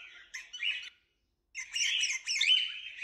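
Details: Cockatiels giving a short squawky chirp, then a pause, then a longer chattering phrase.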